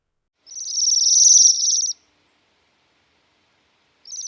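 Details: A Bohemian Waxwing, a winter visitor to the UK, gives a thin, very high, buzzy trill lasting about a second and a half, with the start of another trill at the end.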